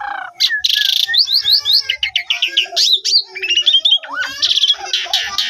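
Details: Song of an Asian pied starling meant to trigger other starlings into singing, a dense jumble of harsh rasping bursts, ascending whistled slurs and chattering notes, continuous and energetic.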